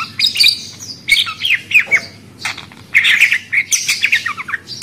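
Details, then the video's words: Budgerigar chattering steadily, a dense run of scratchy chirps, squeaks and short warbled whistles repeated in quick bursts, over a low hum. "Suara Burung Parkit Australi"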